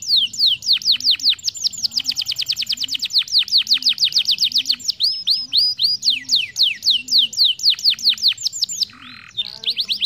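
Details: Canary song played to train young canaries to sing rolls: a long, fast train of high downslurred whistled notes repeated several times a second, briefly broken by a buzzy note near the end.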